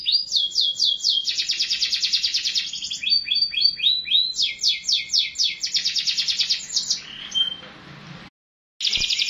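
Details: Canary song of quick pulsed trills and rattling rolls, sung steadily, breaking off near the end with a brief silence before the trilling starts again.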